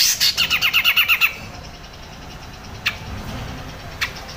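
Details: Grey-cheeked bulbul, locally cucak jenggot, in crecet chatter for tutoring songbirds: a quick string of about nine scratchy notes, then near silence broken by two isolated sharp clicks.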